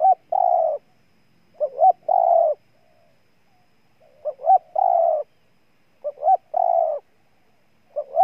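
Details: Spotted dove of Ninh Thuận giving repeated coo phrases, each a pair of quick rising notes followed by a drawn-out mellow coo, about four phrases in eight seconds against near silence.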